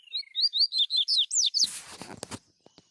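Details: Double-collared seedeater singing free in the wild, recorded on a mobile phone; males and females present. A quick run of about eight bright, sweet whistled notes, each sliding down, delivered in under two seconds, then cut off by rustling and knocking noise.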